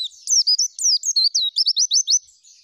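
An Indian white-eye sings a fast, high twittering phrase of rapid notes, ending in a quick run of rising chirps, with no other sounds.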